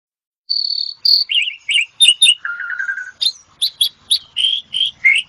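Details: Asian pied starling song used as therapy: a steady whistled note, then rapid buzzy slurred phrases, a trilled run of short notes near the middle, and sharp high chips with varied whistles repeated to the end.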